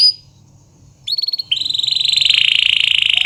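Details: Canary singing, recorded to coach reluctant canaries: a brief high note, a pause, then a stuttered series of short whistles leading into a long buzzy rolling trill.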